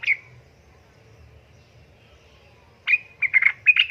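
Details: Female yellow-vented bulbul in breeding condition calls to attract a male; one slurred chirp, a long silence, then a quick string of rattling, bubbly chirps building in intensity.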